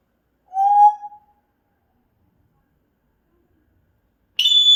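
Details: African grey parrot making sounds: a short, hoot-like whistle that slides slightly and fades, then a long silence, then a sudden high, piercing pure whistle starting near the end.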